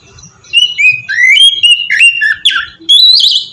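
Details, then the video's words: Oriental magpie-robin singing ngeplong, a lure to make young kacer sing: after a faint start, sweet looping whistles rise and fall, ending in harsher squeaky notes and a high whistle. "suara burung kacer ngeplong merdu"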